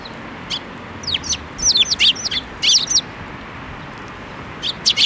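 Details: Several sparrows coming to a hand for food at a Tenmangu shrine on 7 May 2024, giving bright, high chirps in loose clusters, some doubled and down-slurred, with brief pauses and a final pair of chirps.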